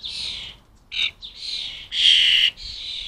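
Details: A European starling fledgling begs for food at a UK garden bird table. Five separate scratchy, buzzing screeches come in turn, the loudest long and strident near the end, with brief silences between.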